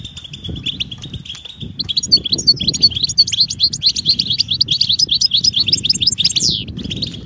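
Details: European goldfinch readiness and mating calls to make males sing: a thin, sustained buzzy note opens, then a lively stream of sharp, tinkling twitters and a sweeping downward slur near the end; low murmur underneath.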